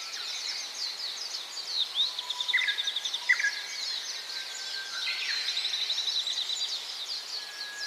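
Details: Several Gouldian finches seem to call together in high, thin chattering and rapid twitters, with a few clear flat whistles standing out midway.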